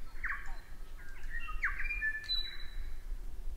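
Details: New Zealand tui, a male visiting a garden, delivers a rapid jumble of harsh squawky notes, a sharp click and bright ringing whistles within a few seconds, over a continuous low background rumble.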